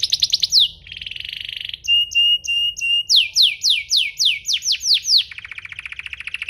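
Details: Domestic canary singing a lure song used to provoke other canaries into song: high buzzy trills, a sustained rasping buzz, steady whistled notes, then rapid repeated down-slurred sweeps and a closing buzzy roll.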